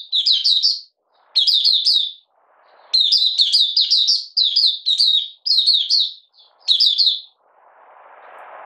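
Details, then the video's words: Caged Oriental white-eye (Malaysian mata puteh) in light moult, out of form, on 31 July 2023, delivering 'buka sing' song: repeated bursts of rapid, high, slurred twitters with short silences and brief rustling sounds. "Malaysian Mata Puteh Buka Sing"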